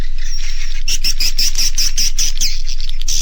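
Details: Edible-nest swiftlet roost-inducing call, Naga Mas type, for settling young swiftlets: a steady high whistle, then a quick regular run of short chirped notes, each with a click, nearly four per second.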